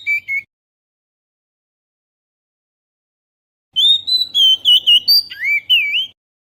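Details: Oriental magpie-robin lure sound, GoPro Hero recording: a short whistled phrase, a long silence of over three seconds, then a two-second burst of warbled, quavering whistles and chips.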